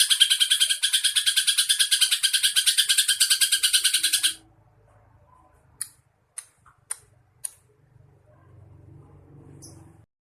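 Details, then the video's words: Greater green leafbird (cucak ijo) training song with sparrow, lovebird and kingfisher filler phrases: a loud, rapid, buzzing rattle for four seconds, then scattered sharp high chips over a faint low rumble. "masteran cucak ijo isian -greja- Lovebird- tengkek"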